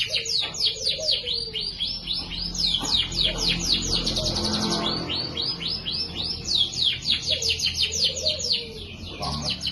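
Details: Lively chirping canary song with rich ornamented phrasing, used to tutor other birds: long dense runs of fast, high, downward-sweeping notes, brief buzzy passages, a few lower slurred whistles, and steady low background hum.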